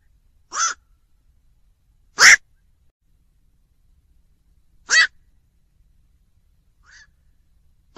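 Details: Black-crowned night heron repeating short, rasping croaks at uneven intervals, four loud calls and one faint one over eight seconds, in a quiet setting.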